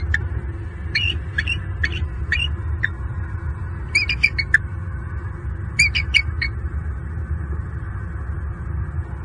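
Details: A pair of wild bald eagles calling while mating at their nest tree in Southwest Florida, evening of 26 November 2022, recorded by a nest cam. Rapid series of high, piping, squeaky notes, first spaced singly, then in quick chattering clusters, over a low hum.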